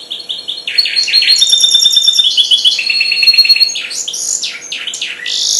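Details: Goldfinch hybrid aged four months in its first singing: loud, fast twittering with long thin whistles and buzzy trills, rising into a jumbled, scratchy burst of notes at the close.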